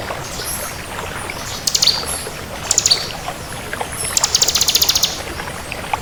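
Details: Crystal-form bar-winged prinia (ciblek kristal) singing actively, giving short bursts of rapid, high, buzzy ticking trills, the longest near the end lasting about a second, with faint hiss in the background.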